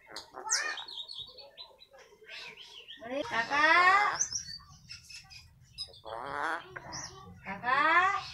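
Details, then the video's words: Eclectus parrot imitating human speech: squeaky high notes, then rough, strained, voice-like phrases with wavering tones, delivered in several separate bursts over a low background hum. "burung ajaib bisa menirukan suara manusia"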